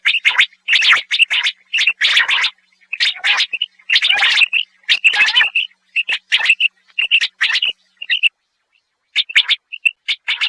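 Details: Common quail (batair) singing: dense run of sharp, clipped double and triple notes, bright and high, tumbling close together with brief pauses, almost no background noise.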